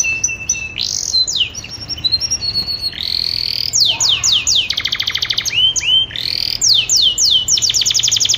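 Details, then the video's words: Mating call of a female canary in breeding condition, made of quick descending whistled sweeps, short rising notes and fast rattling trills in varied bursts, continuous and bright, over a low background hum. "Audio panggilan kenari betina birahi"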